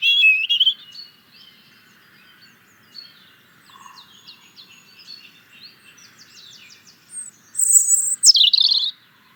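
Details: European robin singing: a warbled opening note, quiet scratchy fragments, then a loud very high thin whistle sliding down into a final clear phrase.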